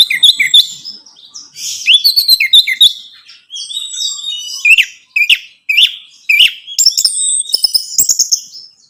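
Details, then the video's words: Orange-headed thrush song used to stimulate a caged bird: a continuous varied sequence of whistles, upswept and downslurred notes, rapid trills and harsh chirps at high pitch. "Merangsang ANIS MERAH Berani Bunyi, Saat Diputarkan Kicauan Ini dalam Beberapa Menit."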